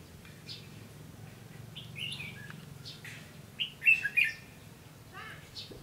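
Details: Lure red-whiskered bulbul in a fighting trap, recorded 15 June 2016, giving scattered chirps followed by a loud cluster of three sharp, bright warbled notes and a few softer calls afterward, low hum behind.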